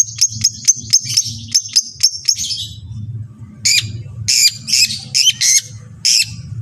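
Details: Long-tailed shrike, a recording to make other shrikes sing: a fast run of sharp high ticking notes, a brief pause, then harsher, scratchy, buzzy bursts over a constant low hum.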